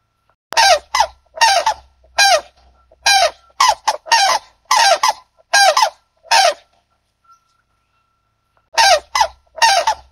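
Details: White-naped crane (Grus vipio) gives loud, harsh trumpeting notes in a quick run of about fourteen, then pauses two seconds before another burst, with a faint low rumble underneath.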